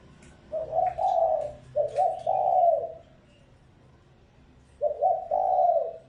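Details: Decoy spotted dove calling to stir up wild birds: three low cooing phrases, the first two close together and the third after a pause. Each is a clipped lead note followed by a drawn-out, slightly wavering coo.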